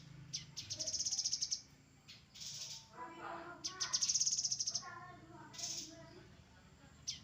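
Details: Grey-headed canary-flycatcher singing in a tutor recording for cage birds: bursts of very high, rapid, tinny trills lasting about a second each, alternating with softer, lower chattering notes and faint background noise.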